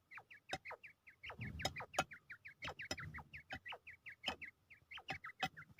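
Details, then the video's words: Quail kept for fighting in Pakistan, ready to fight, gives quick, repeated, hooked chirps near three per second, with clicking taps and a brief low rustling thump midway. "Quail is ready for fight"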